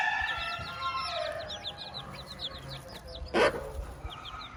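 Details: Domestic hen with her chicks on a farm: dense, rapid high thin peeps from the chicks fill the scene, with lower clucking tones underneath and one sharp, loud knock or thud near the end.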